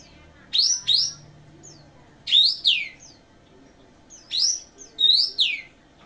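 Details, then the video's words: Kapas tembak (cucak jenggot) in song, with loud ringing upswept and downswept whistles in paired bursts, then pauses of about one to two seconds, against a quiet background. "Kapas tembak"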